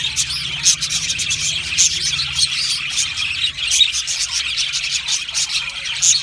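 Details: Many Australian budgies singing and chirping as a colony: busy, high twittering with sharp chirps popping out every second or so above the constant warble, faint low hum beneath.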